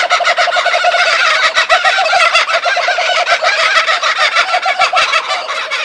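A laughing kookaburra gives a loud, rolling run of rapid chuckling notes that bubble on without pause, harsh and throaty, filling the whole stretch.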